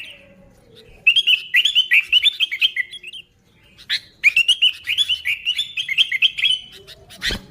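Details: Sooty-headed bulbul singing, used to lure bulbuls: bubbly, liquid warbled phrases of quick rising and falling whistled notes, two runs separated by a short pause, with a few sharp clicks.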